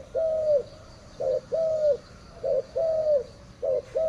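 Spotted dove cooing: soft, low hooted notes alternating short and longer drawn-out coos, a phrase roughly every second, in a quiet setting.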